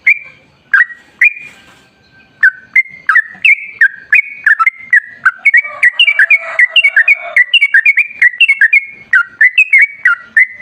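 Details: 1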